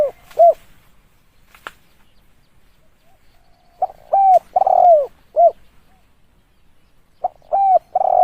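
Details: Spotted dove calling for use as a lure, loud phrases of hollow coos with a long downward-slurring middle note, separated by quiet pauses of a few seconds.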